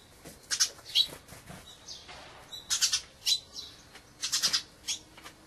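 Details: A Dusky thrush, winter visitor from the far north, gives loud, sharp, chirping call notes in rapid clumps, some triple-stuttered, separated by brief pauses.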